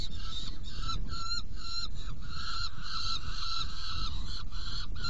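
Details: At a nest box during feeding on 17 June 2018, 10:31, a saker falcon gives a rapid series of grating, harmonic calls, first short and clipped, then longer and run together, above a deep background drone.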